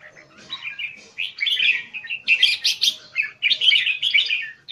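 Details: Red-whiskered bulbul (jambul) kept Singapore-style, showing an open-tail and eagle-wing display. Bright, chattering phrases of quick chirps and warbles, loud bursts separated by short pauses, clear and close with no other sounds.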